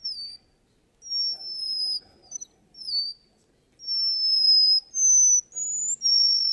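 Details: Russian canary in a singing contest giving long, high, pure whistles, some level and some gently falling, separated by short pauses, with faint background murmur.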